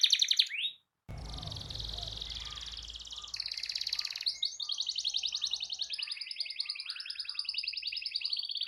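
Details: Canary delivering a long rolling song intended to provoke rival canaries: after a short cut-off, dense buzzy trills run continuously, shifting in pitch between segments, over a low background hum.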